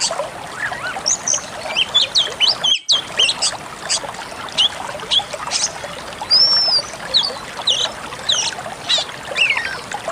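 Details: Pied Bushchat training song for cage birds: a dense stream of scratchy chatter and short high notes, a brief silent break near the third second, then more twittering with a single arched whistle.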